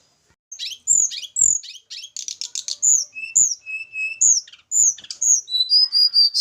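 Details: Javan mountain little pied flycatcher, caged and being paired with a mate; quick varied high chips and whistles, a few lower steady notes, ending in a run of short high whistled notes.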